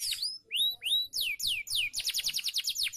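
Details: Canary training song for caged birds: a few separate rising whistles, then a series of sweeping downslurred notes speeding into a quick rhythmic trill.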